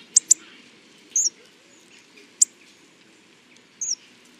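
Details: Hawfinch uttering two quick explosive ticks, then isolated short downslurred chirps and another sharp tick, well separated by pauses, against quiet ambient noise.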